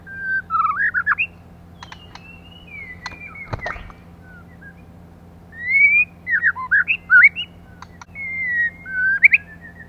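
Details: Female white-rumped shama, a caged bird used to stimulate males, giving clear whistled phrases: rising and falling notes in short bursts near the start, then a lively run of varied whistles and slurred notes after a pause, with a few sharp clicks and a steady low hum.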